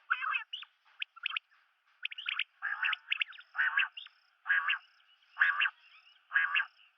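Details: Quick clicking notes give way to loud, rough, buzzy double calls spaced about a second apart from a common quail, known locally as batair, with a faint high tone running through.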